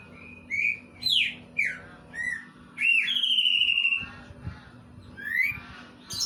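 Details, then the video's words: Leafbird, the greater green species, voicing kingfisher material: a mix of sharp descending notes, rising whistles and a sustained level whistle lasting about a second, delivered in an uneven sequence. "Cicak ijo materi cekakak udang"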